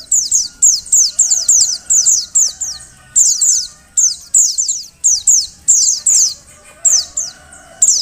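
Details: Female Oriental white-eye giving calls meant to make males sing: rapid clusters of high, thin, downslurred chirps, two to four per burst, repeated almost continuously with brief pauses, faint background hum beneath.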